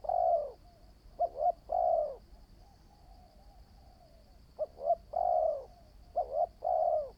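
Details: Spotted dove, a new bird out for decoy-trap training, opening with a long coo, then three more phrases of paired short notes running into an extended mellow coo.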